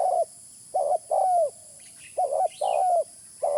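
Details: Spotted dove call used as a lure sound. Short, low hooting coos come in pairs, and the longer second note bends downward at the end. Faint higher chirps from other birds appear in the background over a constant high hiss.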